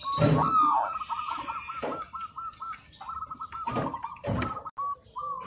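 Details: Local zebra dove singing steadily as a training master: a run of short mellow coo notes at a constant mid pitch, roughly three per second, broken by loud low thumps and rustling bursts.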